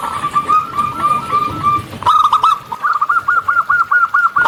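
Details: Local zebra dove (perkutut lokal) in lively song, recorded in natural surroundings: a run of soft, rolling cooing notes, then a brief pause and a faster series of quick repeated trilled coos.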